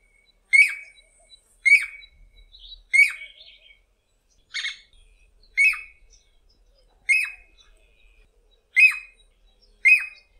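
Jacobin Cuckoo giving sharp, ringing high notes, each with a brief downward trailing edge, repeated about once a second in a steady series.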